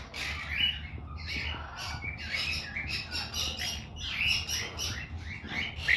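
A monk parakeet chatters in harsh, raspy squawks and quick scratchy chirps, one burst after another.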